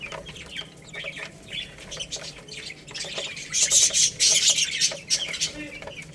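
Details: Baby chickens eating rice: a busy chorus of thin, high chirps and peeps, overlapping and irregular, building to louder, denser cheeping midway.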